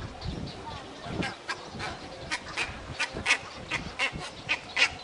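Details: Cattle egrets at a breeding colony at Inkamana near Vryheid, 12 November 2007, give harsh, rasping croaks and clicks, irregular and overlapping, about one every second or two, over a low rumbling background.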